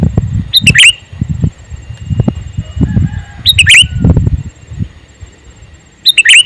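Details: Calling male sooty-headed bulbul: three quick bursts of piercing chirps, each a few notes, spaced about three seconds apart, with low knocking and rumbling sounds between them.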